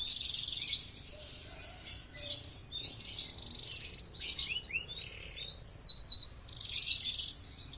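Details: Canary singing as tutor material for other songbirds: buzzy high trills broken by pauses, then louder clipped chirps and short whistled notes in quick varied phrases.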